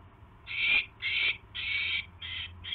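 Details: Owl at its nest during a mouse delivery on the evening of January 29, 2016; harsh, breathy hissing bursts, five in under three seconds, each about half a second long, over a low steady hum.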